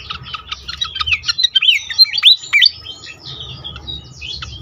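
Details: A pied fantail on a lure recording meant to trigger singing in other fantails. Quick thin chips lead into several loud, swooping whistles that climb steeply, then trail off into softer high chatter against a faint low drone.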